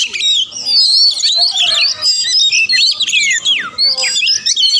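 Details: Fast varied Oriental magpie-robin song, used to rouse other magpie-robins to sing back and fight, made of looping whistled slurs and quick chirps delivered in uneven bursts.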